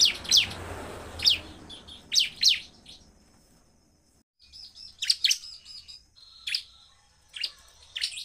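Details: Bar-winged prinia, in song described as provoking other prinias, gives widely spaced sharp high chirps, some doubled, with short pauses between.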